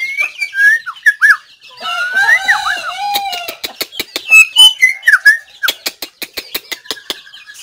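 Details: White-rumped shama song, 17 April 2024: bright whistled notes and warbling slurred phrases, broken up by frequent sharp ticking clicks that repeat steadily toward the end.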